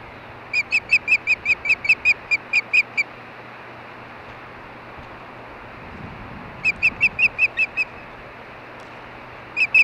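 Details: Osprey pair at the Hellgate nest, Montana, on an evening in May during mating; bursts of rapid, high, piercing chirped whistles, about a dozen per burst, separated by pauses, with low hum beneath.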